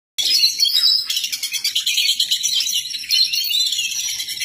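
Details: An oriental magpie-robin in intense, nonstop song sings a loud, unbroken stream of high, chattering and whistled notes.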